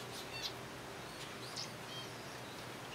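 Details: A captive zebra finch colony being fed softfood gives a few short, high, squeaky chirps at irregular intervals over a steady low electrical hum and background noise.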